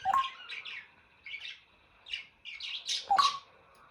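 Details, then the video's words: Pet African grey parrot squealing and chirping. Bright, slightly buzzy squeaks come in small bunches, and a sharp whistled note with a click marks the beginning and the end. The bird also makes popping and electronic-like sounds. "the African Grey and his funny sounds"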